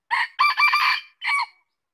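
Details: Red junglefowl gives one full crow, a quick opening burst followed by a long raspy central part and a short tail note, ending abruptly, then silence.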